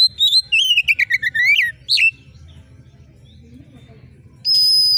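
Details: Oriental magpie-robin singing in full voice: a quick two-second run of falling whistled notes and buzzy chips, then silence, then a long, steady, high whistle-like tone closing the recording.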